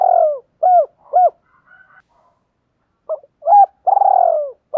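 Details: Spotted dove kept as a decoy, cooing to draw in other doves ('gáy gọi', 'gáy luân'): three quick hooked coos, a brief pause, then a run ending in a long throbbing, falling coo, with no other sounds.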